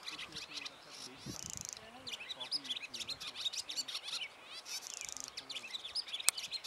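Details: Barn swallows resting on a wire on Saltholm, Denmark, twitter in a fast, high jumble of chirps with two buzzy, grating rattles, faint low voices murmuring underneath.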